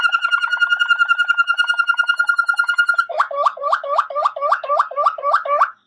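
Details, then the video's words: ['Waterslager canary song: a fast even trill held for three seconds, switching to a run of about a dozen rapid gurgling hooked notes, clear and isolated.'] "من أجمل و أحسن تغاريد طائر المالينوا واترسلاجر CD Chant Canari Malinois Waterslager"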